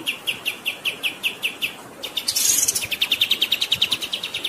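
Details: Black-winged flycatcher-shrike (kapas tembak) in full rolling 'gacor ngerol' song, a master recording set over flowing water: quick chirped notes repeated steadily, then a buzzy burst and a faster run of bright chirps.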